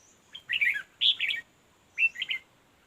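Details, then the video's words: Red-whiskered bulbul, recorded while being trapped with a fighting decoy, gives three short, lively warbled phrases of clear, chirpy whistles in quick succession, each about half a second long. "Bẵy đấu chào mào"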